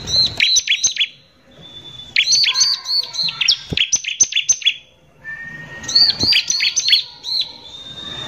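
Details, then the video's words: Energetic ciblek (Bar-winged prinia) lure song in the coarse 'nembak kasar' style. Three fast volleys of piercing high chips and downslurred notes separated by short gaps. Faint lower whistles are heard between bursts. "PANCINGAN CIBLEK GACOR NEMBAK KASAR INI PALING BISA BIKIN CIBLEK EMOSI"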